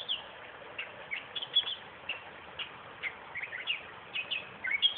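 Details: Song of a western reed warbler in a suburban park 20 km south of Perth: scattered scratchy chirps and slurred whistles, spaced loosely with short silences between notes.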